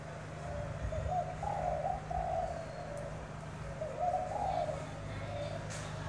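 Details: Spotted doves competing in cooing at Tra Vinh, Vietnam, a tame bird against a wild-caught one; muffled, far-off coo phrases with long blurred notes, two bursts separated by a pause, under low constant hum.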